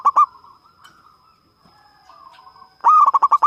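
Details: A local zebra dove (perkutut) with a big voice gives two opening notes, a quiet gap with a steady faint hum, then a quick burst of about six clipped, bubbling coos near the end.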